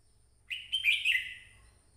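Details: Red-whiskered bulbul song: one short, bright warbled phrase of rising and falling whistled notes lasting under a second, with a faint low rumble behind.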